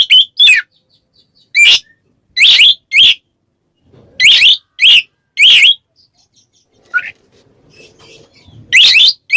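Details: Ngeplong calling of an Oriental magpie-robin challenging a rival: loud, abrupt paired and single buzzy whistled bursts spaced by silent gaps, with faint low rustles between phrases.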